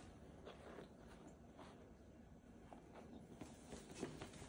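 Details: A quiet outdoor scene with soft footsteps and light rustling, and no animal voice.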